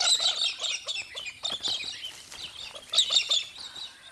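A flock of galahs gives a dense, overlapping chatter of harsh, high screeches and squeaky chets, rising in bursts every second or so.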